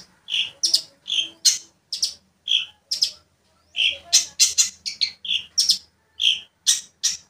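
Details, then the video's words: Long-tailed shrike singing lively to provoke another shrike: loud high chattering song of short harsh bursts alternating with fuller rounded notes, delivered in quick irregular clusters with brief pauses between phrases. "pancingan cendet biar emosi | cendet gacor memancing emosi cendet lain"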